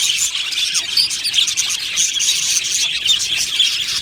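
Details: Flock of budgies in an aviary, dense high chirping with a few clear whistled squeaks standing out above a continuous scratchy twitter of many birds.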